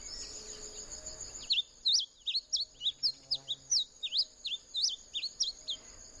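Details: Bunting singing a quick series of clear, slurred down-up whistles, about a dozen notes at roughly three per second. A constant high-pitched whine runs underneath and faint background noise precedes the song.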